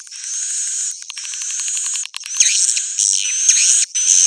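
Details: Swiftlet roosting call for attracting edible-nest swiftlets: a steady high buzzing hiss, broken by fast clicking ticks, then louder rasping chirps with bent whistled notes that rise and fall.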